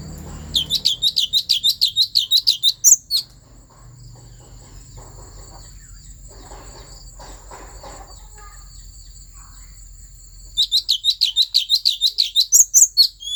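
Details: Asian fairy-bluebird singing in Central Highlands forest, Vietnam, to provoke other birds: two loud bursts of fast, repeated sharp chirps at the start and end, separated by a long stretch of faint scratchy background and a steady high tone.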